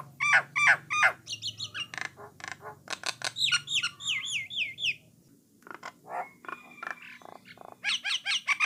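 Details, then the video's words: Song of a Jalak Nias (Jalak Coklat) starling, played to get other starlings singing: rapid chattering notes, sharp clicks and a run of wavering whistles, then a short pause, a few scattered notes and a closing burst of quick chips. "Merdunya Kicauan Burung Jalak Nias / Jalak Coklat, Memancing Jalak Lain Supaya Rajin Bunyi"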